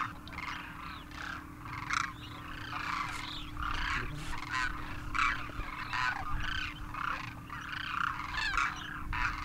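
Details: Demoiselle Cranes, juveniles and adults wintering in north India at Khichan Village, Rajasthan, after Himalayan migration; many overlapping rolling, trumpet-like calls in quick succession from a flock, with a constant low hum underneath.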